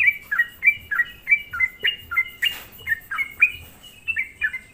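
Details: Sooty-headed bulbul song played as a lure to excite other bulbuls, with quick falling bubbly notes in an even stream and one short burst of broad noise halfway through.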